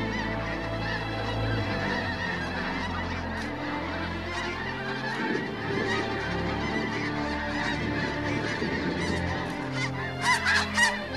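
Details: A dense chorus of wintering snow geese, thousands arriving on autumn migration in the Fraser River delta, with many overlapping nasal, barking honks packed several per second in a continuous, uneven clamor.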